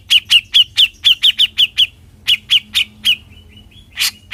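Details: Grey-cheeked bulbul, locally cucak jenggot, giving besetan: a row of harsh, slurred notes at a quick steady pace, a short pause with soft thin whistles, then a few louder rasps.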